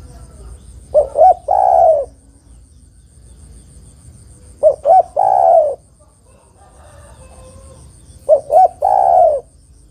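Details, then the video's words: Female spotted dove calling to a male, a recording used for luring birds. Three coo phrases about four seconds apart, each with two short clipped notes and then a long, low, falling coo. A faint steady hiss runs underneath. "tekukur betina memanggil jantan"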